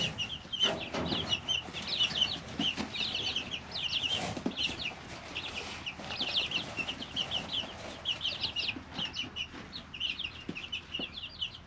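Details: Brooder of three-week-old chicks chirping steadily, many thin high peeps tumbling over one another, mixed with scratching, pecking clicks and a short flutter of wings.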